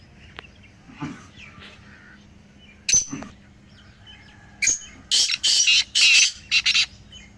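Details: Black francolins, three birds, heard to stir a quiet pet francolin to call. Scattered soft sounds and clicks lead into a rapid harsh phrase of five or six loud, scratchy bursts near the end.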